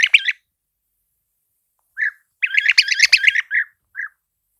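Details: Mellow, liquid and burry calls of the European Bee-eater: a short trill, a lone note, then a dense rolling sequence of quick notes followed by two separate single calls.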